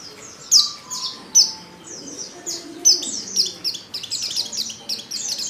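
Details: Lure call of a female Oriental white-eye for drawing out male song; high descending chirps at first spaced, then crowding into a rapid twittering series toward the end.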